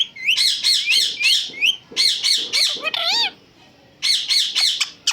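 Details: Pet parrot talking in short runs of harsh, squawky syllables with high bright overtones, broken by one rising-and-falling whistled phrase, pausing briefly before another burst of chattering syllables.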